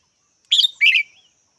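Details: Red-whiskered bulbul voicing a brisk double chirp. A ringing first note is followed by a rougher, longer second note that trails off into a soft slur. Faint high hum in the background.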